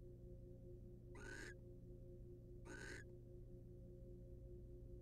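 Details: Wild barn owl pair in a research nest box, the male grooming the female. Two short, breathy, hissing screeches about a second and a half apart sit over a constant low drone.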